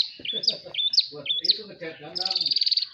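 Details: Madura long-tailed shrike in a cage giving several sharp upward-flicked whistles, then a fast, even, rattling trill of high notes, with men chatting in the background.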